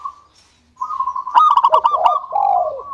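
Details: [8, 'Local zebra dove singing to prompt others: a steady tone, then a quick run of staccato notes ending in a low falling coo.']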